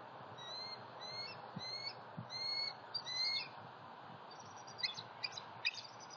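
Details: Three-year-old sub-adult bald eagle visiting a nest and its attic on a southwest Florida nest site, morning of 28 October 2019: a series of thin, high whistled notes with overtones, then fainter quick chattering notes near the end.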